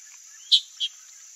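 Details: A wild Chalk-browed Mockingbird calls, giving two short, sharp high notes about a third of a second apart, over a steady high insect hum.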